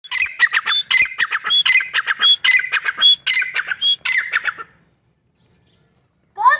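Grey francolin giving loud, harsh, squealing notes in quick rhythmic bursts with short clear whistles between, for about four seconds, then silence and one last note.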